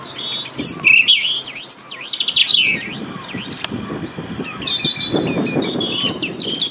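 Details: European robin in the UK singing to maintain its winter territory: loud, fast, varied phrases of high sweet whistles, descending trills and sharp sweeps in quick bursts, then quieter sustained whistled notes with soft rustling underneath.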